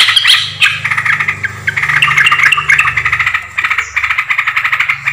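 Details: Yellow-vented bulbul lure recording from 20 July 2024, used to attract birds: dense, bubbly chattering notes repeated rapidly and continuously, with a steady low electrical hum underneath.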